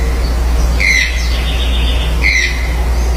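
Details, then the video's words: Toucans calling on a farm: two short rising squawks about a second and a half apart, over a steady low engine-like hum. "Cantos de tucanos"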